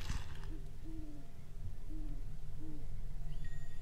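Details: On a calm, windless night at a lake, once a campground, an owl gives soft, low hoots, short and evenly pitched, about once a second, over a steady low rumble.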